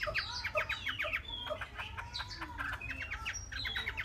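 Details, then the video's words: Young Chinese hwamei, three months old, repeating a short patterned phrase of rising and falling whistled notes several times in quick succession, with a faint steady hum underneath. "họa mi"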